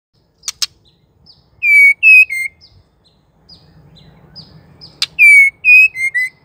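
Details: Female White-rumped shama calling, a call used to make males sing: two sharp clicks, then four loud, pure whistled notes, some falling, with soft high chirps between, and the four-note group repeated after a quiet stretch.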